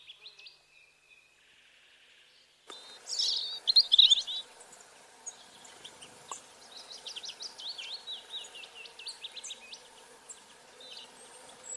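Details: Natural soundscape of birds chirping: a thin high whistle, a sudden knock, then a burst of bright twittering followed by many scattered high chirps and squeaks from several birds.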